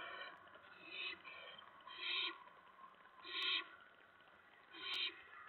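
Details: Owlets at night in the nest, 10 September 2017, during two food deliveries of mice. Four rasping hissy screeches, about 1.3 seconds apart, over a steady faint hiss of background.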